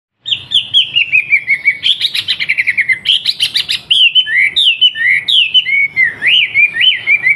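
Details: Wambi in full song, a bird kept in Surabaya and used as master song for young trucukan bulbuls: loud, fast whistled phrases, sliding downward notes alternating with rapid buzzy trills and chattering bursts, almost continuous.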